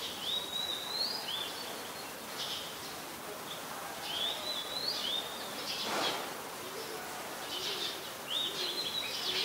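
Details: Streak-eared Bulbul in Ubon Ratchathani, Thailand, 22 July 2022, a very common resident: clear rising whistled phrases that end in a flick, given three times at intervals of a few seconds, with faint chirps and steady ambient noise.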